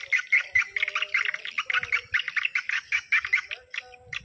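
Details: Dusk lure recording of swiftlet calls for a swiftlet house. A fast stream of clipped chirps and twitters pulses several times a second. A constant high-pitched electronic whine and some faint lower tones sit in the background.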